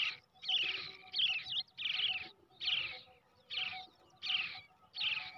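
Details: Brown shrike chick hand-raised from the egg, begging with harsh scratchy bursts, each roughly half a second long, coming in an uneven rhythm with brief gaps between them.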